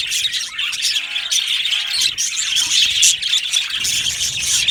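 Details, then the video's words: Happy budgie colony in an aviary, loud dense chatter of quick scratchy chirps and squawks, several hundred notes a minute, with short warbled phrases standing out near the start. "Happy Budgies Sounds | Budgies Chirping Sounds | happy Budgie sounds for lonely Budgie birds"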